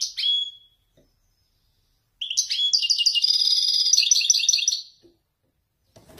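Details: A male Wediani European goldfinch, caged in Morocco, performs Marrakchi descending phrases. A short whistled chirp opens, then after a pause comes a long rapid tinkling trill of bright, liquid, repeated notes lasting nearly three seconds.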